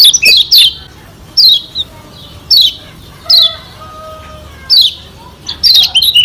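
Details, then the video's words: Lombok white-eye training song for provoking rivals: spaced bursts of high, downward-slurred chirps about once a second, with faint thin lower whistles between them. "Masteran Kecial Kuning SELALU SUKSES Pancing Emosi Lawan Bikin Cepat GACOR"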